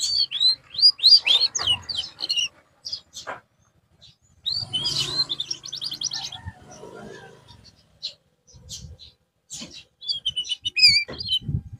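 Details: Canary recovering its song after losing form: rapid rising-falling whistled notes, a buzzy rattled trill mid-way, then more high slurred whistles after a brief pause, with faint low noise.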